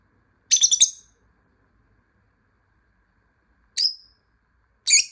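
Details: A lovebird kept as a pet, hiding and calling so it can be found, gives a rapid chattering burst of shrill notes, then two lone sharp high calls spaced about a second apart, in a quiet room.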